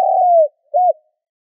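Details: Low spotted dove coo for luring: a long, even, gently dropping note, a brief gap, then a short rounded coo that rises and falls, with nothing else audible.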